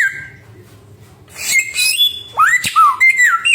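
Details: Samyong bird, noted as having a thousand and one sounds. After a quiet start, it gives squawky harsh notes and then a series of clear whistled slurs that rise and fall, along with a low background hum.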